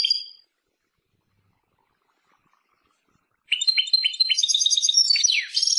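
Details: European goldfinch: a short chirp, then about three seconds of silence before a lively run of tinkling twitters, a descending slur and buzzy trills.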